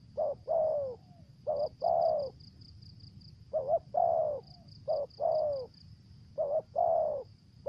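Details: Spotted dove lure singing in 'thổ dế' style with stuttered 'dập' notes and 'mai rừng' tone: repeated groups of a short hiccuping coo followed by a drawn-out descending coo, about four groups, with a faint continuous high buzzing tone behind.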